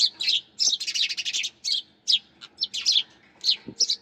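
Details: Sparrows give a dense, lively chatter of bright, high chirps, with a rapid run of close chips in the first second and then scattered single notes, plus a brief low knock.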